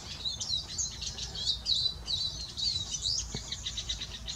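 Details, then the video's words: Male Eurasian siskin singing a fast, twittering stream of high, buzzy and rasping notes with quick slurred trills, continuous for over four seconds against faint low background noise. "Male Siskin singing. (Spinus spinus)"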